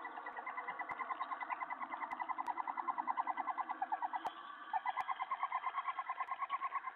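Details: Owl at night, 3:10 AM on July 31, 2017, as the male brings a mouse while the female is out, food delivery 12 of 16 that night; rapid, steady series of harsh repeated notes, briefly pausing, then resuming.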